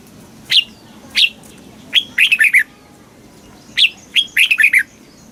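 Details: Caged red-whiskered bulbul from Thailand singing a southern master-style phrase, played to stimulate other caged birds and teach young birds: single bright whistled notes, then a quick rolling run of four warbled notes, repeated twice over faint background hum.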